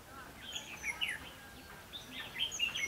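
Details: Red-whiskered bulbul singing during the trapping of wild birds with a long-arm trap, 22 October 2016, where a bulbul serves as decoy: short bright warbled phrases, rising and falling, in quick bursts, with faint background noise.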